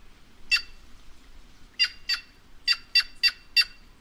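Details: White-naped jay (Cyanocorax cyanopogon) of the Brazilian caatinga calling in a rapid series: one harsh note, then a pair, then four quick raspy notes close together, each broad and noisy, with a quiet background.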